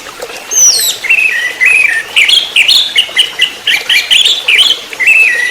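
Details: Orange-headed thrush (anis merah) singing in the rapid trotol style, used as a lure recording for training birds: loud, varied whistled phrases with rising and falling slurs, delivered in quick bursts almost without pause.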